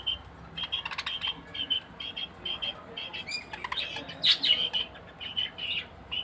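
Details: Chattering chirps from a female budgerigar at care time: short high notes repeated in quick runs, with scattered clicks and rustling, and a louder squeaky burst near the end.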